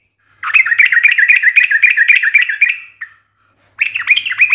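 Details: Sooty-headed bulbul in energetic 'ngalas tajam tarung' singing style: a rapid run of chattering, slurred notes for over two seconds, a brief pause, then another fast burst.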